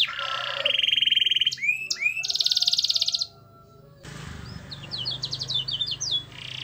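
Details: Singing canary used to coax lazy, silent canaries into song, with a varied phrase: a high buzzy trill, sliding whistled notes, a dense rapid trill, then scattered sharp chips and a final buzzy burst.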